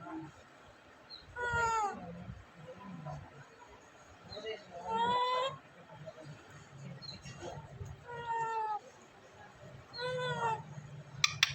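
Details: Talking pet parrot from Vehari, Punjab, Pakistan, captured on a mobile phone, gives four drawn-out, falling, strongly harmonic vocalizations roughly every three seconds against a hum of indoor background noise.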